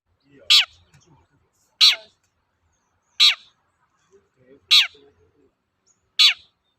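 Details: Long-tailed shrike (cendet) kept as a songbird, used as a lure to make other shrikes sing; five harsh, downward-sweeping rasping notes spaced about 1.4 seconds apart, with faint low background murmurs.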